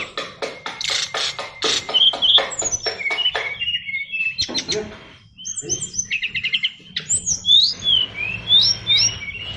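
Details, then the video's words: A fighter-class brown-chested jungle flycatcher of the Bali type, its song richly filled with imitations. Dense chattering notes lead into high whistled slurs and short trilled bursts, delivered in a varied, restless sequence. "SRDC Fighter isian luber"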